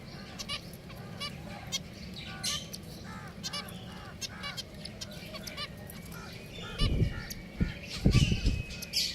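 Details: Pet finches kept as caged birds give short nasal harmonic calls repeated in loose series, several birds overlapping, with low thumps and knocks near the end.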